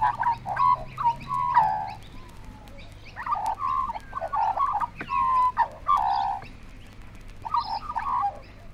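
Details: Currawongs on a 1968 Australian wildlife vinyl record give loud, ringing, gurgling calls in bursts of one to two seconds, several birds overlapping, with faint record hiss and hum beneath.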